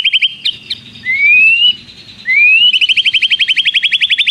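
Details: White-rumped shama in song with long prinia-style trills: a few sharp chips, two rising slurred whistles, then a long, steady, rapid trill of high notes to the end.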